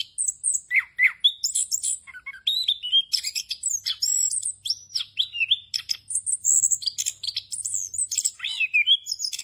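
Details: Rolling 'ngerol' song from an orange-headed thrush, full of fill phrases and used to train young birds. Bright, high whistles alternate with fast chattering runs and a few lower slurred notes, almost without pause.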